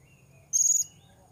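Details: A single sharp, very high-pitched buzzy note lasting about a third of a second from a blue-crowned hanging parrot, recorded during an attempt to lure wild birds, with a quiet low rumble behind.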